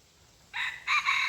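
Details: Red junglefowl used as a decoy to lure wild junglefowl, 23 February 2022: a loud, hoarse crow in two bursts, the first note short and the second longer and strained, over steady faint hiss.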